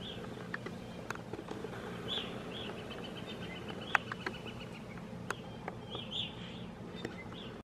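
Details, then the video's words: A small flock of Evening Grosbeaks in Algonquin, Canada, in April 2016 gives short, burry, high notes in loose bursts, with a thin steady whistle between them and faint background hiss. "Small flock of Evening Grosbeak"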